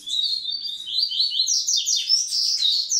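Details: Double-collared seedeater (Massai) male singing a fast, unbroken run of high, bright chirping and twittering notes that rise and fall, song meant to bring females into breeding condition, with no other sounds.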